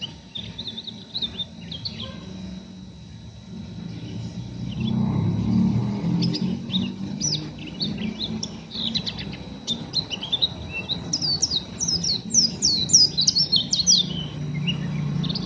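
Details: Untrained oriental white-eye in rough chattering 'ngeriwik' mode: scattered high scratchy notes build into a dense burst of quick twittering chirps near the end, with a continuous low rumble underneath.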